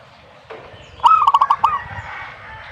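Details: Zebra dove song: a single burst of soft, quick cooing notes, five or six short pulses rattled together in under a second, over low background noise.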